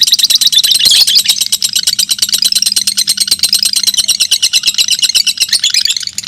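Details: A pair of fighter lovebirds competing in song over two minutes keep up a shrill, rapidly pulsed chatter, louder at first, then a steady fast rattle.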